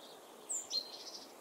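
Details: Great spotted woodpecker nestlings in the nest give thin, high squeaky notes, one sliding downward, then a brief wavering chatter, over faint background hiss.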